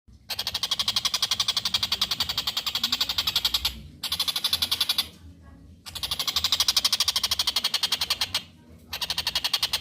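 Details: Actively calling collared kingfisher used as a master recording for training songbirds: harsh, buzzy notes in rapid rows of about four per second, each row lasting a few seconds and then breaking off briefly.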